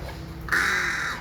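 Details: Hornbill calling with a single loud, hoarse, drawn-out honk after a moment of low hum.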